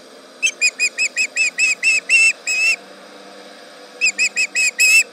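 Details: At a Charlo nest on a July 2019 morning, an osprey yells at a tractor: a series of about ten shrill whistled cries building in strength, a short gap, then another quicker burst of six.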